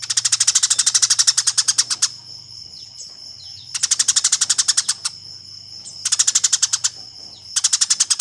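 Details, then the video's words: Eurasian tree sparrow giving fighting calls, used as a master recording for training competition songbirds; rapid bursts of sharp, high chirps about two seconds long, repeated after short pauses, with faint background hum. "Suara Burung Gereja Tarung"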